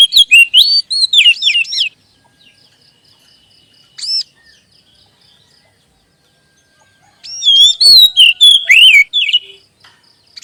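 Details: Oriental magpie-robin lure song, played to prompt caged magpie-robins to sing and boost their spirit: bursts of loud, varied, fluting whistled phrases with swooping slurs, separated by a lone upward note and a long quiet gap.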